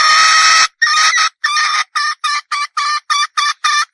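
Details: Female wild red junglefowl ending a long harsh squawk, then repeating clipped, nasal cackling notes roughly three per second, about ten in a row.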